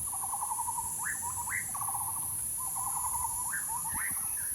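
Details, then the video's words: Bird uttering buzzy trilled rattles alternating with sharp upward-swept notes, set against a continuous high hiss. "bird sounds"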